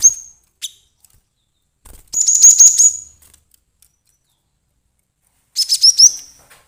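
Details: Agitated cinereous tit used as trapping bait: one high whistle, a sustained trill of rapid piercing notes lasting about a second, then a final burst of rising chirps after a long pause.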